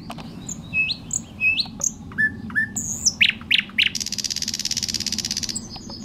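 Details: Thrush nightingale singing openly on a clifftop south of Vang, Bornholm, 2009, filmed with a bridge camera on a tripod: varied rising whistles and sharp clicks, then a long, dry, buzzing rattle lasting about one and a half seconds.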